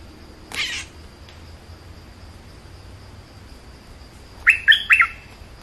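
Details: Bulbul heard in a short burst of three bright warbled notes near the end, after a soft rustling sound and a long quiet stretch.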